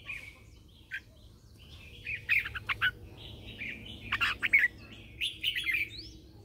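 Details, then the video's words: Red-whiskered bulbul, a caged lure bird used for morning training to call others, giving loud whistled and warbled phrases in bursts, several sharp strong notes clustered around the middle and end, over a low steady hum. "Luyện giọng cho chào mào hót sáng căng lửa kích chim mộc hót siêu hay, Chào mào mồi hót gọi bổi"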